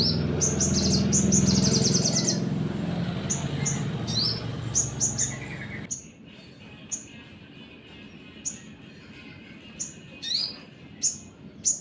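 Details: Sunbird song aimed at provoking other birds: fast high trills and chirps over a loud low rumble at first, then clean, sharp high chirps repeated every second or so in quieter surroundings.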